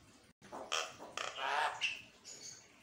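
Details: Javan myna in morning song meant to provoke caged birds into singing; a run of harsh, rasping, squawky bursts with a short whistled note, fairly faint against background noise.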